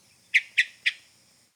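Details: Hermit thrush during fall migration in Kentucky woods, giving migration-season calls rather than song: three short, harsh chuck notes about a quarter second apart, fairly high and dry, with a faint steady hiss behind.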